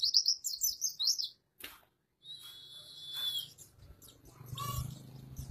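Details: White-eye song in the ngalas and ngerol style, used as master audio for training caged birds: rapid high twittering phrases, then a long thin steady whistle, with soft low hum and rustling beneath.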